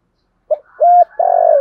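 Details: Start of a stimulating spotted dove coo meant for training caged birds, with male and female doves: a brief soft note, a steady flat coo, then a long low coo that slowly drops.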